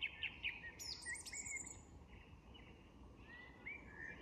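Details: Song thrush at dusk in an English woodland sings short whistled and chirping phrases, some repeated, over a soft dusk chorus of other birds and a steady low rumble.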